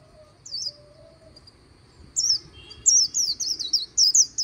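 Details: White-eye near the Kỳ Cùng river: a lone high slurred chirp, a silence, then a string of quick, sharp, descending high notes in líu song, with a faint whistle low in the background.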